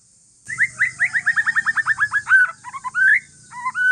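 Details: Aceh forest-lineage white-rumped shama singing calmly to get other shamas answering: after a short silence, a run of about fifteen quick repeated upslurred notes, then varied whistles and a drawn-out clear note, over faint low hum.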